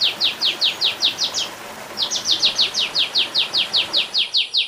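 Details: Olive-winged bulbul repeating bright, descending chirps at a quick, even pace, with a brief pause partway through before the series resumes.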